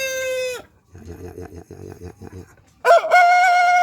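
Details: A chicken sunning in the morning: the tail of a crow drops away, low clucking and rustling fill a pause, then a new loud crow starts strong and holds steady.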